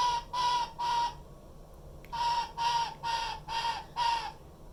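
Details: A 4-year-old female black-headed caique (white-bellied caique group), a pet hatched 30 Nov 2018 whose screaming is daily, gives harsh, grating screeches: three quick ones, a pause, then five more at a steady pace, each raspy.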